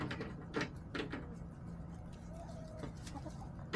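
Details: Backyard chickens on March 24, 2024, giving a few short clucks early on and a soft, drawn-out tonal note midway, with light tapping and a constant low hum underneath.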